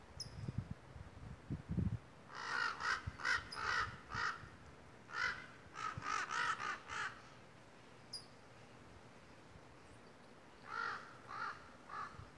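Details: Two loud, talkative crows in misty redwood mountain forest, stirred up by a hawk perched in the trees, give bursts of harsh, hoarse caws in rapid runs of three to six, with tinkling wind chimes and light breeze behind.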